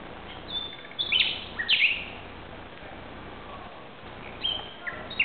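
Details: Night song of a common nightingale in Barcelona, Spain, recorded 2:30 am on 17 May 2009; a few sharp whistled and slurred notes near the start, a long quiet gap, then more scattered notes near the end, with constant background hiss.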